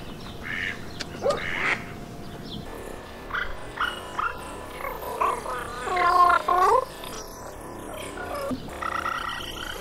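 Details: Mallards, including a hybrid, males and females, recorded from a boat in the Brière marshes: a few short nasal quacks and soft calls scattered across the recording, strongest in a brief burst near the end, over a low, murky background.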